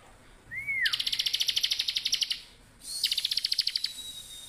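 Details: Bar-winged prinia singing continuously in the ngebren style: a short rising-falling whistle, then a rapid buzzy trill of sharp pulses for about a second and a half, followed by a second shorter pulsed burst.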